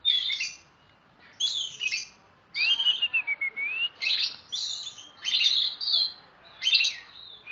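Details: Oriental magpie-robin singing loudly as a training model: bursts of scratchy high notes alternating with a long smooth descending whistle and further rich jumbled phrases, over low broadband noise.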